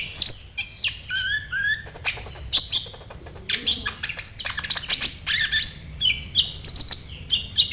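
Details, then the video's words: Sunbird (kolibri ninja) in full song, used to prompt other sunbirds to respond and sing. Rapid, high twittering and chirping run almost without pause, mixed with short rattled trills and a few lower whistled slurs. "SEMUA Burung KOLIBRI CUEK LANGSUNG RESPON DAN GACOR Dengan PANCINGAN INI!KOLIBRI NINJA GACOR"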